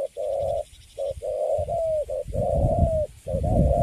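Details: Spotted dove, Cấn Sấm type, caught and caged, said to stand still in its cage and coo quite well: steady mid-pitched coo phrases, short and long notes alternating, some long notes sliding slightly downward, with brief pauses between.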